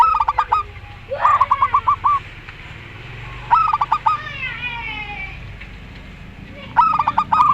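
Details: Local zebra dove singing in the Rondo Semoyo style, set against a zebra dove with a strange voice: four bursts of five or six quick, clipped cooing notes, with faint rising swept whistles in the pause between them.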